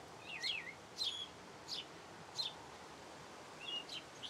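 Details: Sparrow song with a few twisting, slurred chirps followed by sparser single cheeps, about six notes in four seconds, separated by gaps of quiet hiss.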